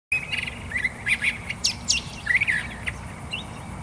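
Curve-billed Thrasher song: a quick, varied run of warbled, chirping phrases, high and bright, over a soft low rumble.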